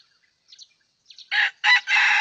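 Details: A wild red junglefowl approaching during a hunt with a decoy rooster. Faint high chirps from small birds come first, then a loud crow of two short harsh syllables followed by a sustained, strained final note.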